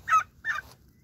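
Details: Young turkeys calling: two short raspy peeping notes, the second slightly longer, in a quiet setting.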